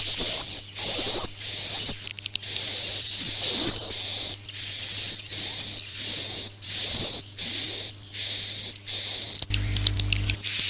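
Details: Swiftlet farming lure, roosting sound of the "Masal" style: long runs of buzzy, hissing chirps with a high whistled tone threaded through, pulsing irregularly over a constant low electrical hum.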